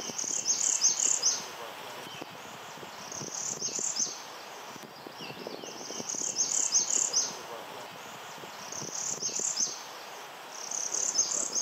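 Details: Northern Parula migrant at Mount Auburn giving a curiously syncopated song: clusters of very high, buzzy, vibrato notes in uneven, jerky rhythm, repeated roughly every three seconds over faint background hiss.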